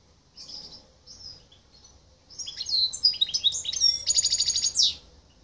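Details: Singing hybrid of goldfinch and canary, silver colour, Greece 2023: soft opening chips, a jumble of twittering notes, then a rapid metallic trill of repeated chirps closing with a sweeping buzz.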